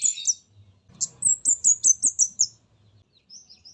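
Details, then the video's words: Orange-headed thrush of the spotted mountain 'comade' type, played as a lure: a brief high scratchy burst, then a rapid run of about seven thin, high, slightly downslurred whistles, followed by faint softer notes over a low hum. "Pancingan Burung Comade Gunung Trotol"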